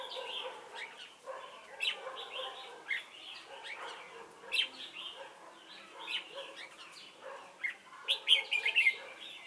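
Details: Decoy red-whiskered bulbul at a trapping site at Chùa Hương, 28 November 2017, singing a busy run of clear, slurred whistled notes and chirps, repeated in quick clusters with a sharper burst near the end.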